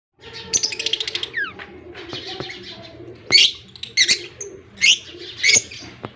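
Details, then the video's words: Budgerigar chicks being fed by a male give rapid, buzzy, high-pitched begging calls in short bursts about every second, with a faint low hum underneath. "Budgie is Australian chicks a baby feeding male"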